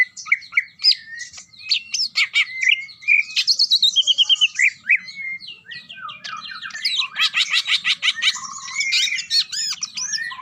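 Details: Greater green leafbird, a champion bird in strong 'ngetrok' form: jumbled chattering notes and a quick string of bright repeated notes, then a dense, buzzy, rattling outpouring of fast notes through the second half.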